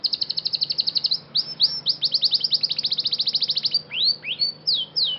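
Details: Song of a Scotch Fancy canary under training: a rapid steady trill, then a long series of quick downward-slurred notes, closing with several drawn-out upward swoops.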